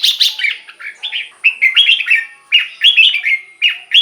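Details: Red-whiskered bulbul, song played to excite caged birds: continuous lively chatter of varied warbled and whistled notes in short bursts with almost no pauses.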